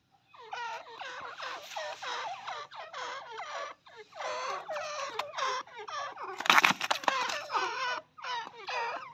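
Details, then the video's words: Female partridge (teetar) giving rapid runs of harsh, squeaky notes in bursts of one to two seconds, with a loud thump about two-thirds of the way through. "female teetar voice"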